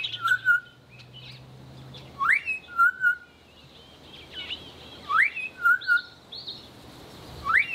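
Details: Southern Boubou pair duetting in South Africa: the female calls first with a low fluty whistle and the male answers quickly with a sharp rising note, the exchange repeated about three times.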